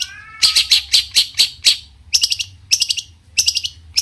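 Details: Long-tailed shrike singing a varied, energetic song that incites other shrikes to respond: a faint whistle, then clusters of harsh, sharp chips repeated in quick groups with brief pauses.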